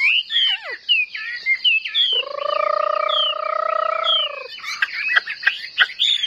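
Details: Competitive singing from a Chinese hwamei, tail spread in an eagle-wing display: bright, swooping whistles at the start and end, interrupted by a long, steady, harmonic buzzing tone in the middle.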